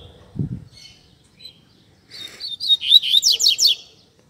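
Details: Double-collared seedeater, a cage bird, giving its Tui Tui Zel Zel song style, used as a model for training young birds. One high, rapid, buzzy phrase of repeated sweeping notes lasts about one and a half seconds in near silence.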